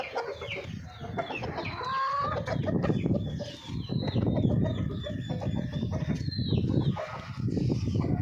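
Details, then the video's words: Golden Misri chickens: a busy mix of overlapping clucks and short squawking calls over a constant low rumbling background. "Hen sound effect | Murgio Ki awaz | Golden misri Murgi"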